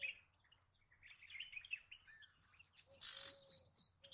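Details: A bay-backed shrike gives a rambling, scratchy warble of mixed chirps, then a louder burst of sharp, high notes repeated in quick phrases.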